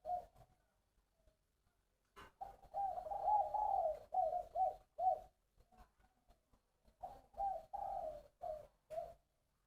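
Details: Large caged spotted dove from Long An, Vietnam, sings its three-phrase 'bronze voice' song after a quiet start: two bursts of low, throaty repeated coos separated by a short gap, with faint clicks.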